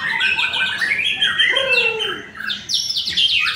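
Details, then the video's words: First-place white-rumped shama at an Indonesian bird-singing contest pours out rapid chirped phrases and clear descending whistled slurs, then a short lull before sharp high notes resume; other birds are audible faintly. "LOMBA BURUNG | Murai Batu"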